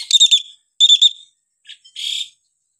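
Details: Varied hill myna calls: two loud, harsh squawking bursts, a brief soft note, then a noisy hissing call.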